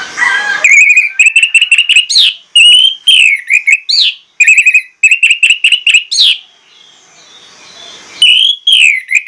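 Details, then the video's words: Orange-headed thrush pouring out a lure song of mimicked phrases: repeated fast trills of piping notes alternating with loud swooping whistles, a brief quiet gap, then more slurred whistles. "PANCINGAN ANIS MERAH PLONG NGOTOT BONGKAR ISIAN"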